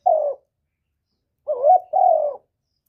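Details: Spotted dove cooing to stir other doves into calling. One short hoot, a pause, then two longer mellow coos, the first wavering and the second level and smooth.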